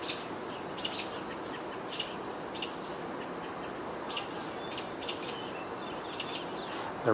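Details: On 22 June 2023, with a hawk present near a nest, American Robins, apparently unhappy about the hawk, give short, sharp, high call notes, singly or in quick pairs every second or so, over a steady background hum; a man's voice starts at the end.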